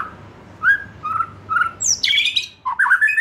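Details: White-rumped shama, a young wild bird losing its juvenile spots, sings: soft separate whistles first, then a quick descending high whistle leading into rich, varied warbled phrases.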